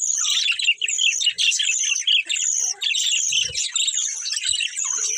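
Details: Several colourful budgerigars chirp and chatter nonstop, a dense overlapping warble of short high whistled and buzzy notes with brief pauses, plus a few faint low knocks.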